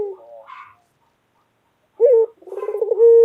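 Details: After a faint trailing note and a pause, a white pet collared dove delivers one loud call: a short low note, a quick rattling roll, then a steady held coo.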